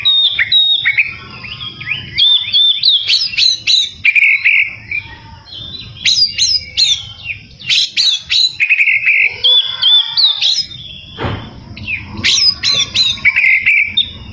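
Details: Vigorous song of a white-rumped shama, meant to provoke rivals: rapid bursts of sharp descending whistles and chips alternating with buzzy rattles and pure sustained notes, about three bursts per second, brief low thump near the end.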